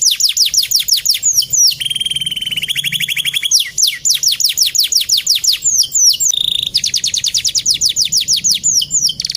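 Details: Male canary singing a lively, loud song: fast trills of repeated down-slurred whistled notes, a buzzy rolling section near the start, then more rapid descending trills and sweeps, continuous with no other sounds.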